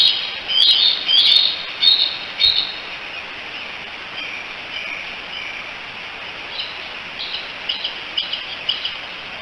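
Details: Bald eagle eaglets, three siblings at the Decorah nest, 16 July 2018, apparently calling for their mother: a few bright, high chirps in quick succession early on, then fading to faint, sparse peeps over steady hiss.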